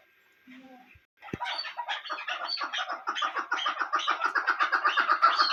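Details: Quiet faint noises lead into a female chukar's accelerating clucking series, harsh repeated notes about four per second growing louder; the bird is used for hunting.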